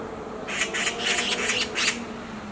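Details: Black magpie screaming on a tree branch: a near-continuous string of rasping, scratchy notes running together, over a faint low hum.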